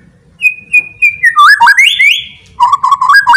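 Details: Loud song of a white-rumped shama that provokes other shamas to fight: three evenly repeated clear whistles, rapid swooping phrases climbing to a long bright whistle, then repeated stepped whistled notes.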